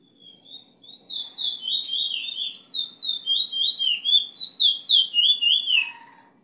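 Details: A bullfinch used as a tutor bird for teaching song sings a fast, high twittering song of chirps and short slurred whistles, about three or four notes a second, steady for six seconds.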